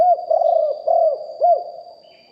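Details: Live recording of a big-voiced spotted dove kept as a decoy bird: a rolling run of soft, low, arched coos, about four notes in quick succession, ending in a fading tail, with a constant thin electronic whine behind.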